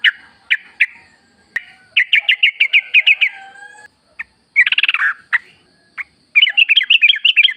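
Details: Sooty-headed bulbul singing in a wild-sounding lure recording for caged birds: separate chirps leading into a fast string of bright notes, a brief harsh burst, then more rapid chirping.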